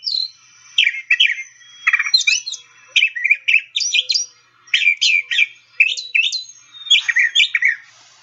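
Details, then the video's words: A brown thrasher sings a varied mimicked run of rich, chirpy and whistled phrases, each phrase given as a pair, with brief pauses between. "So here's a brown thrasher singing."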